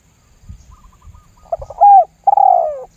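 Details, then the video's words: Spotted dove lure call used to draw other doves into calling: a few soft low coos, then two louder, mellow hooted notes that slur downward. "SUARA PIKAT TERKUKUR LAMBUNG GUK MEMBUAT TEKUKUR LAIN IKUTAN GACOR"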